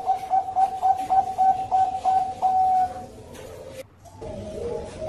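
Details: Bangkok zebra dove lure song: a quick run of short, clear coos, about three a second, that merges into one long steady note, then a pause and softer, wavering cooing with faint room echo.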